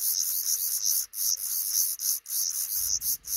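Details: Black redstart pair raising five chicks in a roof nook above a front door that sometimes slams; harsh, high hissing calls come in repeated bursts with short gaps, and a low rumble at the end.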